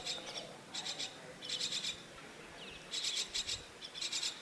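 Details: Myna chick in a nest, waiting for its mother to return; dry, rasping bursts come in quick pulsed clusters of three or four, repeated roughly every second with brief pauses between.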